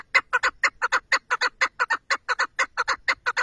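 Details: Rhythmic chukar partridge call: loud throaty chuck notes delivered in rapid pairs, steady and evenly spaced across the whole stretch, with a quiet background.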